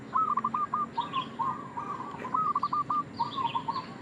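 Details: Local zebra dove, male, lure call for trapping: crisp stuttering coo phrases of clipped notes, repeated twice, with faint high chirps from another bird behind.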